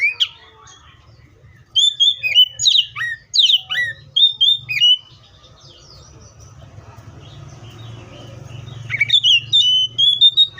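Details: Oriental magpie-robin singing a lively run of short whistles, downward slurs and chirps, falling quiet for several seconds over a low hum, then resuming with steady rising whistled notes.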